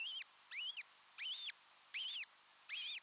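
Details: Wild ospreys alone as a pair at their nest in Satakunta, Finland, for the first time, 6 June 2023; five loud, down-curving whistled notes, spaced roughly every 0.7 seconds, over steady background hiss.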